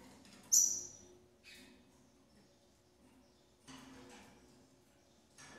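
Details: Female double-collared seedeater at a breeding facility feeding her chicks: one loud, high, thin whistled note that starts bright and slides slightly lower, followed by soft scratchy rustles and faint clicks.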